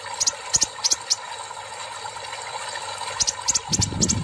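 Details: Sunbird after a water therapy treatment giving very high, thin, sharp 'siss' notes in quick pairs and short bursts, with a pause midway; a splash of water is heard at the end.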